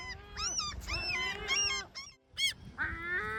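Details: Complaining calls from great black-backed gulls, several overlapping nasal, wavering wails and yelps with strong harmonics, a brief pause, then another shrill note and a drawn-out cry over low background rumble.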